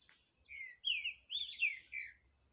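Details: Green-winged saltator in a 2023 singing contest with a wild bird loose in the bush. A rapid run of slurred, whistled notes, some rising and some falling, over a continuous shrill insect hum.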